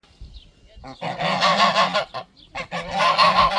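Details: Geese in a garden give a territorial alarm while protecting their territory: two long, harsh hissing outbursts, rasping and breathy with a low buzzy tone underneath, each lasting about a second.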